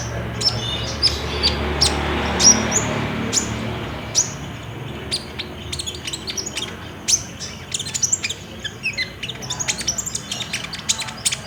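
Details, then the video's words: High, thin olive-backed sunbird song used to prompt caged birds to sing, recorded on a Samsung J5 phone: spaced single tweets at first, then quickening into busy, overlapping chirps and twitters, with faint low hum. "PAKAI PANCINGAN KOLIBRI NINJA GACOR INI PASTI BUNYI"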